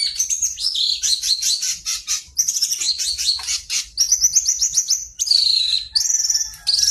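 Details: Long-tailed shrike singing energetically, recorded as a lure to encourage birds to sing: dense, high, warbling and rasping notes run together without pause, ending in a few longer sustained whistled phrases.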